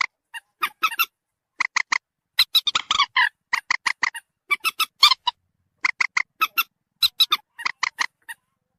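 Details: Common moorhen calls used as a trapping lure to bring birds closer: a steady sequence of sharp, squawking notes in clusters of two to four, with a few rougher, rasping bursts.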